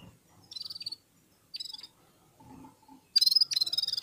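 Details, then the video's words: Red-fronted serins singing in unison while warming up: brief, rapid high twittering trills in repeated bursts, about four per second, with soft low murmurs between them. "Попели поели и опять попели в Унисон Красношапочные вьюрки"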